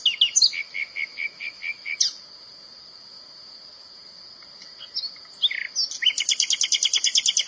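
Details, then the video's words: Common nightingale in nature delivering a series of sharp repeated chirps, a long pause, a rising slurred note, then a fast, even trill. A constant high-pitched cricket-like hum fills the background. "تغريد طائر الحسنية أو العندليب | le Rossignol في الطبيعة"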